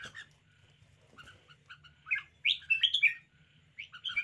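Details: Red-whiskered bulbul in a lively display: soft scattered notes at first, then a loud cluster of sharp, chirpy whistled phrases, over a faint low hum.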